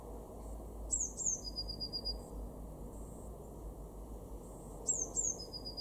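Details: Blue tit in a garden at Weener, East Frisia, in Germany's far northwest, March 2024: thin, very high sharp notes followed by a slightly lower, even run of short notes, repeated twice about four seconds apart over a low background hum.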